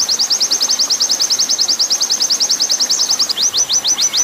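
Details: Long rapid 'nembak panjang' song of an oriental white-eye, meant as a master song for training: a dense, high, buzzy trill of about nine notes per second, slowing into wider-spaced notes over the last second.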